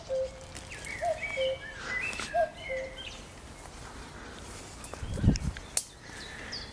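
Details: Common cuckoo recorded 12 June 2020: faint, low two-note calls, the second note lower, repeated about every 1.3 seconds, under higher whistles from other birds and steady outdoor background noise with a brief thump.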